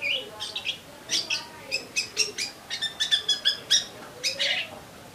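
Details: Eurasian tree sparrow calling lively and steadily: a run of short, bright, high chirps, about three per second, some doubled or slurred, with a faint voice murmuring low in the background.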